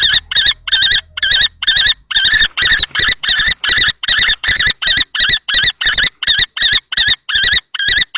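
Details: Male common kestrels fighting at a nest box, Théding, March 2024: a fast, insistent run of about two dozen harsh ringing kee calls, closely spaced and evenly loud.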